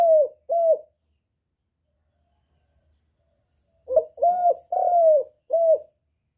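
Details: Spotted dove cooing to stimulate birds: the tail of one phrase with two short coos, a three-second gap, then a fresh phrase of a stuttered note, two drawn-out mellow coos and a clipped final one.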